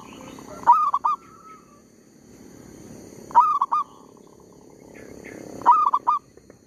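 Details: Zebra dove kept as a trapping lure, calling steadily though disturbed by a tree squirrel; three stuttered cooing phrases, each a quick cluster of mid-pitched notes, spaced roughly two and a half seconds apart, with constant low background hum.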